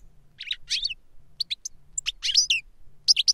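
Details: Goldfinch song aimed at a younger bird by an older one: short bursts of high, tinkling chirps and twitters with brief pauses, some notes sharp and piercing.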